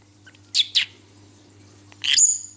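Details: Cobalt (violet-blue) pet lovebird indoors, called singing and talking with its owner. Two sharp high chirps are followed by a longer, harsher chattering burst that ends in a thin whistled note. A low steady hum sits underneath, and Spanish speech is nearby.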